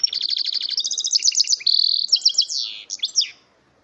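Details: Goldfinch × canary mule, bred from a male goldfinch and a female canary, pouring out rapid high trills, a brief buzzy stretch and tumbling chirped notes before falling silent.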